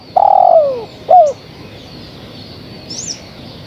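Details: Calling female spotted dove summoning the male: a long, strong coo bending downward at its end, followed by one short falling coo, then quiet with a faint high chirp from another bird.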